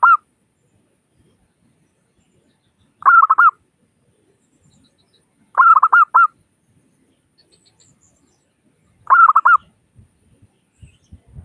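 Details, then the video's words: Zebra Dove of local stock, used as a lure call to prompt other doves to call fast. Short clusters of three quick, bright coos recur about every three seconds, with faint low thumps near the end. "Suara Burung Perkutut Lokal Gacor Pancingan Perkutut Agar Cepat Bunyi"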